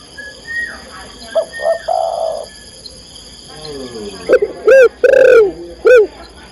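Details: Spotted dove, a female calling to the male: quiet level cooing notes first, then a run of three loud, curved coos toward the end, with a constant faint electrical tone in the background.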